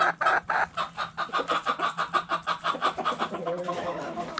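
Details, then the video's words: Hens clucking in a backyard chicken coop: a rapid regular series of loud clucks for about three seconds, fading into softer clucking. "Backyard Chickens Relaxing Video In The Chicken Coop! Sounds Noises Hens Clucking Roosters Crowing!"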